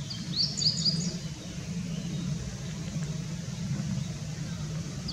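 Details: Meadow bunting on 2018-05-17 giving one brief, rapid phrase of sharp high chirps and warbled notes near the start, then only continuous low vehicle rumble.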